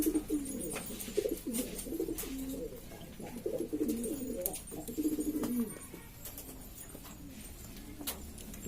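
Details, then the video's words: Domestic pigeons of East Lombok, Indonesia, kept by bird hobbyists, noisily cooing: rapid overlapping low rolling coos for about six seconds, then quieter, with sharp clicks and taps throughout. "burung merpati ini ribut sendiri"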